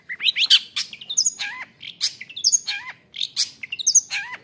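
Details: Long-tailed shrike from the forest in provocative song, loud phrases of rising whistles ending in downward-curving notes, repeated several times over a few seconds.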